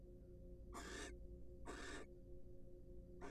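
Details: Wild barn owls in a nest box during a preening and courtship session; two drawn-out breathy hisses about a second apart, a third starting at the end, over low steady hum.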